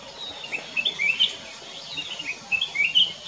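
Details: Black-crested bulbul singing at Kyari Village, Corbett National Park: short, bright whistled phrases with rising and falling notes, repeated about every half second to a second in loose bursts, over a quiet rural background.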